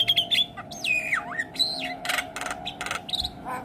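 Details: Javan myna, said to be stressed after hearing another Javan myna call, giving varied filler phrases: clear descending whistles and slurred notes, then bursts of harsh rasping noise and a rising squeak near the end.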